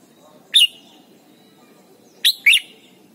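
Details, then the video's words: Red-whiskered bulbul song from Thailand, used for training young birds: one short whistled note early on, then after a long pause a quick pair of bright, liquid notes dropping slightly in pitch, over low background hum. "นกปรอดหัวจุก Thailand Bird: เสียงดีมาก (สอนลูกไก่) เต็ม - ฝึกร้องเพลงร้องเพลงยอดหรือเสียงบิด"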